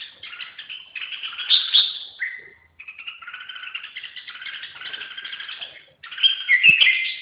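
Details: Red-whiskered bulbul song: a continuous bright warbling chatter of quick, slurred notes, with a short pause near the third second and a louder, richer burst near the end, where a single sharp click also sounds.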